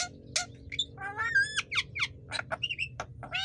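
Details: Javan myna song used for training other songbirds: a loud, varied run of harsh squawks, clicks and short whistled notes, some sliding up or down, with brief gaps between bursts.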